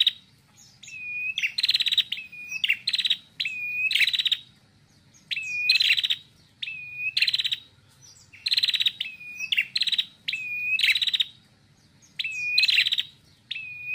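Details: Loud, sustained song of a female red-headed prinia, Indonesia: each phrase pairs a level whistled note with a rapid harsh rattling trill, phrases following closely over fourteen seconds.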